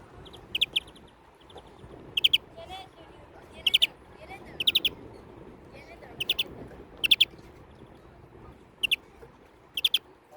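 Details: European greenfinch giving short bursts of three or four rapid, bright, clipped notes, repeated roughly every one to one and a half seconds, about nine bursts in all over a soft low background hum.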